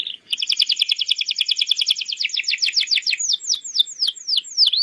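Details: Canary training song aimed at young birds: a brief whistle leads into a long fast rattling trill, finishing with slower, deep downswept whistled notes repeated about twice a second.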